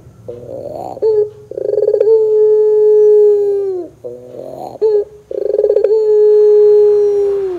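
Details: Pelung-style ringneck dove song used as a lure to make other doves call: two phrases, each a rough rattling trill leading into a long, even, low-pitched coo of about two seconds that sags at the close.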